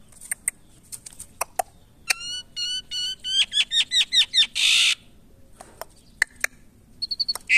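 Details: Asian pied starling under taming, in a quiet room: scattered sharp clicks, then a rising series of quick stacked notes ending in a harsh rasping squawk, followed by sparse ticks.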